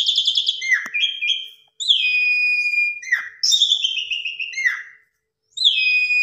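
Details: Lure song of an Asian pied starling, its varied material full of pumping phrases: long whistles that slide downward, each note separated by short gaps, a steady faint hum in the background.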